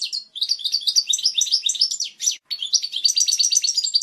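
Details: European goldfinch singing a strong, clear, original-style song used to teach young chicks; rapid liquid twittering of high tinkling notes runs almost without break, with one short gap midway.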